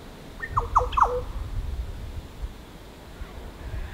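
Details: Green Oriole (Oriolus flavocinctus) at Cattana Wetlands, Australia, in November 2016 on a very windy, hot day: its watery call, a quick burst of three or four mellow, liquid notes dropping in pitch, over a low background rumble.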